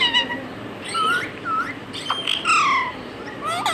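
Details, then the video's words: A pet talking parrot that mimics words and a cat's meow utters a few drawn-out harmonic calls, a swooping whistle and scattered squawks, with quieter spells in between. "Adorable Talking Parrot"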